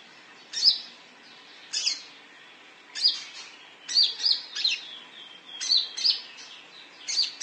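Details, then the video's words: Konin (olive-backed sunbird) lure calls: high, piercing chirps, first spaced apart, then in faster clusters of two or three notes toward the end. "Suara panggilan konin"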